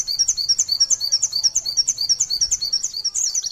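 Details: A white-eye's continuous 'sejaluran panjang' song for tutoring other birds: evenly repeated high twittering chirps, roughly three per second, flowing without a break, with faint low rumble beneath.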